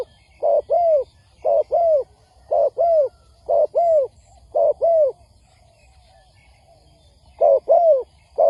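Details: Lure recording of a spotted dove for trapping, meant to make wild doves respond: deep paired coos repeated about once a second, a two-second gap, then the cooing returns.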